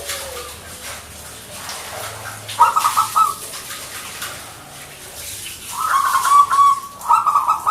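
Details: Zebra dove, a local Indonesian perkutut, in full song: two spells of quick, warbling coo notes, the second longer and more rolling, over quiet background noise.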